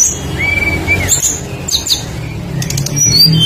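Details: Varied full song from a lively tledekan flycatcher used as a lure for other birds: a long arched whistle, then high squeaky notes and buzzy trills, over constant low background hum.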